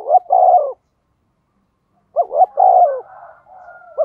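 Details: A decoy spotted dove coos to stimulate other doves to call. Two phrases of quick clipped notes run into a drawn-out coo, separated by a silent gap, with faint softer calling at the end.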